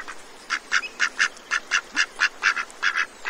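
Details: Ducks in a feeding frenzy at Cambridge, Maryland: a clear run of loud, nasal quacks repeated about twice per second, with a quiet background.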